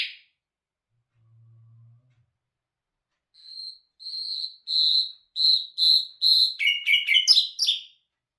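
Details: Nightingale singing: after a near-silent start, loud clear notes repeated about twice a second, then quick buzzy trills and fast falling chirps near the end.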